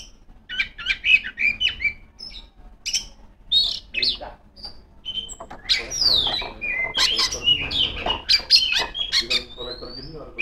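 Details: Female Oriental magpie-robin singing to challenge rivals: a busy mix of sharp clicks, harsh chatter and short whistles, delivered at a rapid, uneven tempo and growing denser halfway through.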